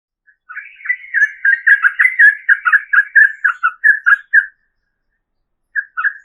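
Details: Female yellow-vented bulbul calling the male, used as a lure: a quick run of bubbly, liquid whistled notes at mid pitch, about two per second, then a pause and two more notes near the end.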